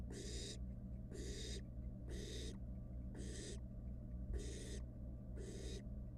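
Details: Barn owl nestling, wild, inside a research nest box while toying with its food, gives long rasping hisses about every second, separated by short quiet gaps, with a constant low hum underneath.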